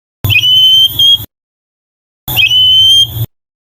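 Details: White-rumped shama repeating a short, pure whistle twice, each note about a second long and level in pitch, separated by a second of silence.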